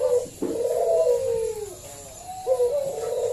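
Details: Zebra dove of local stock, loud and strong-voiced, calling to coax other doves to sing: a long, drawn-out falling coo followed by a softer, shorter coo, over a faint background hum.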